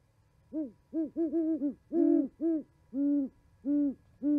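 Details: Owls chatting at an osprey nest in Charlo, Montana, on 11 January 2020 in winter: about ten deep, low hoots, some short and bunched in quick threes, others longer and drawn out, over a quiet background.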